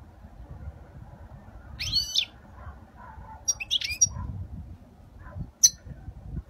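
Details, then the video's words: European goldfinch singing a flawless Spanish-style song, recorded in 2020: three separated bursts of bright, high twittering notes with sliding tones, quiet low background hum between phrases. "تغريد الحسون الإسباني الخالي من الأخطاء 2020"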